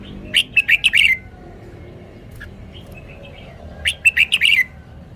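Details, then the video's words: Song of a caged red-whiskered bulbul showing its phrasing: two lively phrases of quick, chirpy warbled notes, five or six per phrase, with soft twitters in between. "นกกรงหัวจุก จ้าวมั่งมี"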